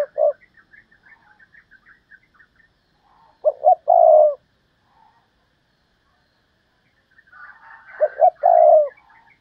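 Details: Decoy spotted dove calling in the Thúc Lợi Cốt style. Two separate phrases, each of two quick notes and a long throaty coo. Faint twittering chirps come before the first phrase and run under the second.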